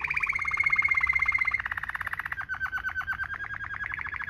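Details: Canary delivering a Waterslager-like rolling 'ngerol' song for tutoring young canaries: a dense, fast roll that dips slightly in pitch partway, then continues as a more distinctly pulsed trill.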